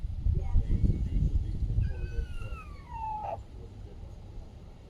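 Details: A grown free-range pet rooster, the owner unsure why he makes this odd noise outside, gives a single drawn-out, whining squeal that slides downward in pitch and ends abruptly, after low rumbling handling noise and faint speech.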